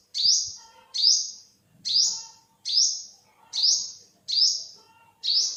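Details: Seven bright, high-pitched call notes from an olive-backed sunbird, also called yellow-bellied sunbird, each sharply downslurred, repeated at steady intervals of just under a second, with a brief soft knock near the start.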